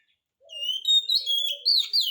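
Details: Oriental magpie-robin song used to prompt other magpie-robins to answer: after a short silence, long clear whistles rise and slide, with low soft notes beneath and a final bright warbled phrase.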